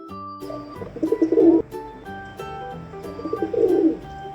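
A pigeon gives two soft, throaty cooing phrases about two seconds apart, over steady background music.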